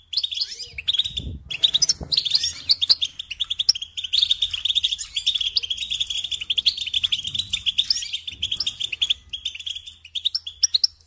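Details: European goldfinch singing as a lesson for young birds: a long unbroken stream of fast, bright twittering and trills lasting about nine seconds, opened by a couple of isolated chirps, with light background rumble.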